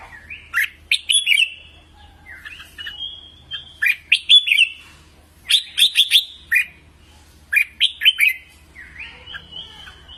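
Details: Song of a red-whiskered bulbul, played to train birds' voices: repeated phrases of three or four quick, bright whistles, each group a second or two apart, with a steady low hum underneath.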